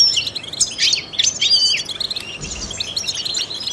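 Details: European goldfinch, a trained bird, singing quick sharp chirps and twittered phrases with buzzy elements, fading to softer notes; song meant to stimulate other songbirds.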